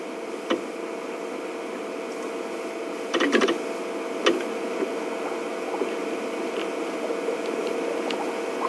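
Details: Steady low hiss with a constant hum, broken by a few short clicks and knocks; no animal calls.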